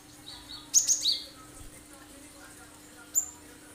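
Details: Cinereous tit delivering a sharp 'tembakan' phrase as a lure for other birds to sing: three crisp high notes in quick succession, then a single thin note after a short gap.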